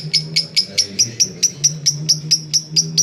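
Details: Lovebird ngekek chatter used to lure other lovebirds: crisp, sharp high chirps repeated regularly about four times per second, each a short upward flick, over a low steady hum.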